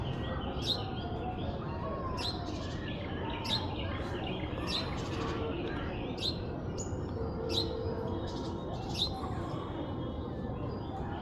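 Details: Baby parrot giving short, sharp chirps that drop in pitch, repeated roughly every one to two seconds, over a steady, loud rushing background noise.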